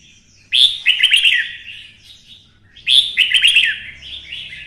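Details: Red-whiskered bulbul of the twisted-voice type, stimulated to sing for fighting: two loud bursts of rich, warbled notes around 2–4k, each opening with a sharp high note, separated by a quiet gap.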